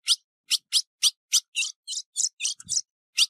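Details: A female ultramarine grosbeak, recorded 15 June 2019, calls and hisses with a rapid series of high, sharp chips and hissy notes, about three or four per second, with a brief low thump.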